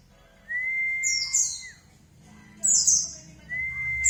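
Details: White-eye lure recording used to make birds answer: a long, steady, flat whistle that drops at the end, followed by very high, thin, twittering chirps, then a second whistle begins.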